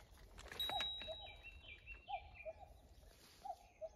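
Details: Common cuckoo described as off-key, the same tone-deaf bird present last year and still off-key this year. Two-note cu-coo calls, a higher note dropping to a lower one, repeated about every 1.4 seconds, with other birds chirping higher.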